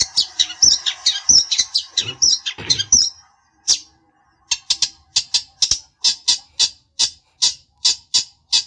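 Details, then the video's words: Long-tailed shrike (cendet) provoking a rival to answer: a jumbled high chatter with mixed notes, a short pause, then steady harsh clipped notes repeated about every half second. "pancingan burung cendet bikin emosi lawan nya jamin nyaut"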